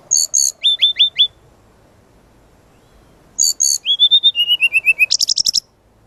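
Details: Brown-chested jungle flycatcher in full varied song for lure and master training: paired high chirps, four quick falling whistles, a pause, then a descending whistled run and a fast high trill.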